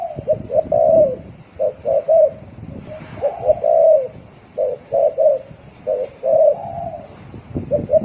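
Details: Spotted dove singing rapid 'thổ còi' coos: clipped mellow hoots in quick pairs and triplets, each run closed by a held coo, repeated almost without pause over faint low noise.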